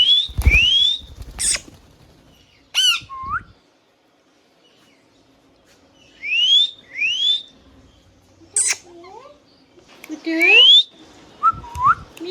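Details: Tame pet ringneck parrot, an Indian green parrot, giving sharp rising whistles and bent, curling talk-like notes in scattered bursts with silent gaps, in a quiet room.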